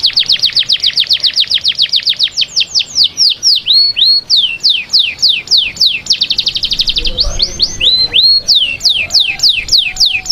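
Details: Singing canary, played for conditioning females before breeding: long fast series of high sweeping notes, several rolling trills and slurred whistles, delivered without pause for ten seconds.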